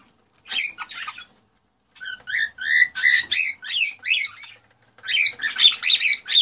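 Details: Male cockatiel singing excitedly to stimulate a female to mate and breed: bursts of bright whistled, warbling notes, some rising and falling, in quick phrases broken by short pauses.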